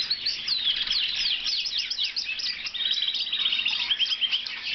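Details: A blue Lizard canary sings a lively, continuous song of high twittering phrases, quick rising and falling whistles, and a rapid rattling trill toward the end.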